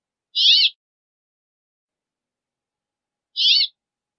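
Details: Two brief, twisting chirps from a Brambling, spaced about three seconds apart, with nothing else audible.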